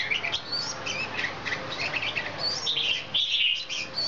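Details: Red-whiskered bulbul, fired up and dancing with its wings, gives bright chirping notes in quick irregular bursts against a steady background hiss.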